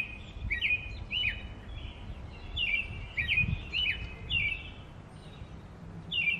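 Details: Singing American robin giving a run of rich, slurred whistled phrases that rise and drop, closely spaced with little pause, above low rumbling background noise.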